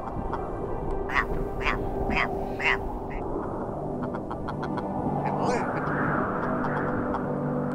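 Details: Red grouse in the Peak District: a run of coarse, clipped notes repeated about twice per second, heard over steady wind and low background rumble.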